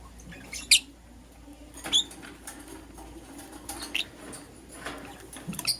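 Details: Lovebirds, a green Personata and a yellow pastel pied, in the morning: a few loud, sharp, high chirps spaced about a second apart over a soft hiss.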